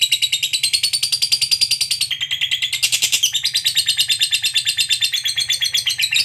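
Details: Fighter lovebird delivering a sustained 'ngekek' chattering trill, meant to prompt other lovebirds into song. Rapid, scratchy, high pulses pour out without pause for over six seconds, the tone shifting slightly midway, with a faint low hum.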